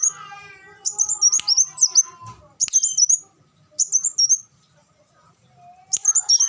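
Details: Olive-backed sunbird singing a training song for caged birds. Bright, high, rapid twittering bursts separated by gaps of a second or more, over softer lower calls from another bird early on.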